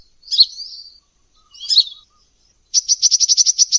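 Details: High-pitched sunbird lure sound, called energetic: two slurred, squeaky chirp phrases followed by a fast, even rattling trill of about a dozen sharp ticks. The background is clean.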